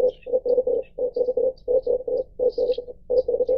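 Red collared dove giving low, gruff coos in quick groups of three or four, the phrase repeated over and over, with faint high chirps of other birds behind.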